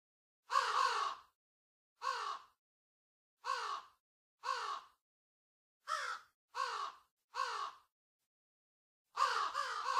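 Several crows give harsh, hoarse caws, about nine in ten seconds at an uneven pace, with two birds overlapping near the end; nothing else is heard.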